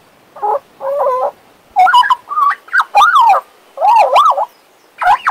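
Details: Pet male Western Australian magpie warbling and whistling: a run of short, wavering phrases with rich, nasal overtones, some sliding up and down in quick loops, others steady, separated by brief pauses in a quiet setting.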